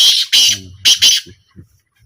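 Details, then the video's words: Black francolin in a calling trial in 2025: two paired harsh, scratchy bursts in quick succession, then quiet with faint low sounds. "A Small Trial Of Black Francolin"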